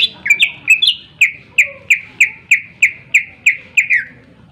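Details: Greater green leafbird song, a loud chattering bird used to provoke other birds into singing: sharp downslurred whistled notes repeated about three times a second, bright and rhythmic, with a faint low hum beneath.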